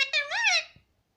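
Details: Pet Indian ringneck parakeet giving a single short, shrill, nasal squeal that rises and falls, clear and loud in a quiet room.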